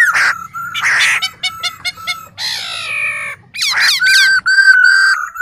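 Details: A male black-throated laughingthrush sings alongside a calling female, played to stimulate kept birds to sing. The loud, varied song mixes rich whistles with harsh, rasping notes and quick repeated chips, ending in a long clear whistle.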